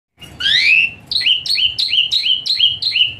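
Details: Asian pied starling song in a rich, varied full style with hot bursts, played as therapy for a starling that sings lazily: a long upslurred whistle, then six quick two-part whistled phrases, each a high note dropping onto a flatter lower note.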